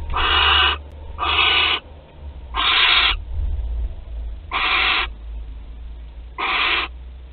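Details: Barn owl at a nest in Théding, France, recorded 25 April 2021: five rough, wheezy hisses, each under a second, at uneven intervals over a low background hum.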